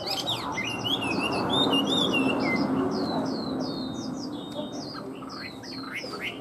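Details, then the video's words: Tame caged Chinese hwamei singing whistled, looping notes, then a series of repeated short downslurred whistles at a steady quick pace, over a steady low background hum. "Chim họa mi thuần hót tốt"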